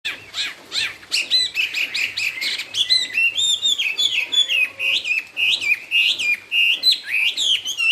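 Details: Chinese hwamei, called 'họa mi cao cầu' and described as singing 'straight', delivers a rich, fast song of loud whistled and slurred phrases with sharp rising and falling notes, bursting in rapid succession with brief gaps.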